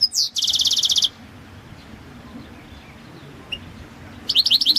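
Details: European goldfinch, subspecies balcanica, in a 2022 goldfinch song world championship run by a Serbian breeding association: a rising note into a long fast buzzy trill, silence with one chip, then renewed twittering.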